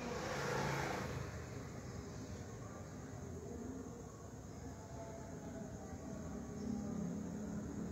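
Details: Steady engine rumble and road noise from a passing vehicle, with no animal calls standing out.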